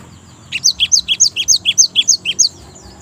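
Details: Java sparrow, a lure recording to prompt another Java sparrow to sing, a rapid run of about twelve high, bright alternating two-pitch chips, evenly spaced, over a faint low hum.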